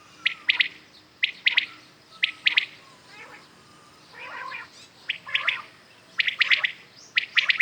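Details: ['Common quails heard in the morning, giving crisp three-syllable whistles in a steady one-per-second rhythm, with a fainter softer phrase midway before the loud triplets resume.']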